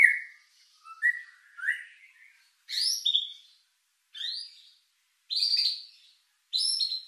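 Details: White-rumped shama lure song with rich fill, used to stir emotion and breeding drive: varied whistled phrases, low slurred notes followed by higher sharp chirps, given in separate bursts with silent gaps.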